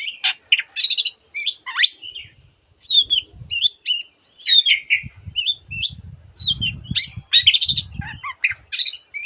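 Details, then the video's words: Long-tailed shrike singing a varied song of copied bird calls, with looping whistled slurs, scratchy chatters and squeaky phrases in rapid succession; soft low rumbling noise underneath. "cendet gacor masteran untuk burung yang susah bunyi banyak varian suara burung lainya"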